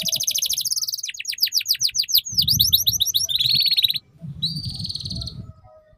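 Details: Tutor song of a canary for juvenile canaries learning the 'ngeriwik' style: dense rapid trills, a series of sweeping downward-slurred notes, buzzy rattling tours, a short gap, then a sustained high trill, over soft low background rumble.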